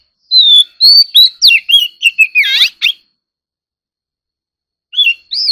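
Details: Oriental magpie-robin stimulated into competitive singing: about a dozen rapid whistled notes and slurs ending in a buzzy sweep, long silence, then two more clear whistles.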